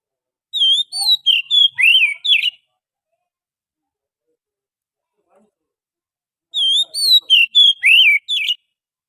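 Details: Oriental magpie-robin lure song recorded from the wild forest: two identical phrases about six seconds apart, each a string of clear whistles ending in fast, sliding, warbled notes.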